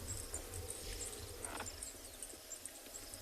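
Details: Zitting cisticola in South African reserve grassland on a late afternoon, 3 March 2021, as the sun sinks, gives thin, very high metallic 'zit' notes about three a second, typical of its display flight, over a safari vehicle's low engine rumble.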